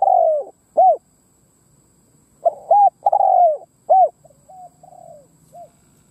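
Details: Spotted dove kept as a decoy, cooing to draw in wild birds; loud drawn-out falling coo and a short arched note, a pause, then a three-part coo phrase with a long slurred note, trailing into quieter distant-sounding coos.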